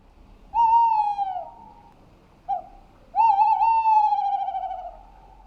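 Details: Tawny owl (Strix aluco), hoot.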